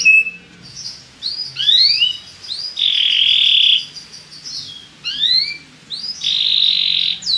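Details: Belgian canary song, played for stimulating other birds: scattered rising whistled slurs between two long buzzy trills, with short quiet pauses.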